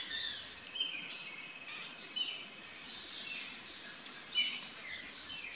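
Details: A female burnished-buff tanager looking for food gives thin, high chips and short sharp notes in quick, irregular bursts, with a faint steady hiss behind.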